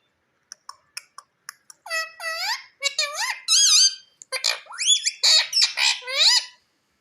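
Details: Talking pet Indian parakeet repeating "Mummy": a row of quick dry clicks, then a steady stream of loud, high, wavering word-like squeaks with rising and falling inflections over about five seconds, indoors.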